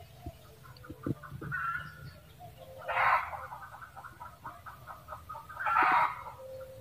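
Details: Red junglefowl cackling: broken, harsh clucking notes build into two loud, strained bursts near three and six seconds, with faint low rumbling beneath.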